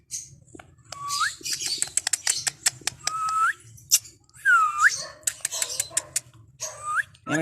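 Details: Green ringneck parrot, a rose-ringed parakeet, kept in an aviary and in a happy mood, gives rising whistled notes among sharp clicks and harsh buzzy bursts, over a low hum with faint music.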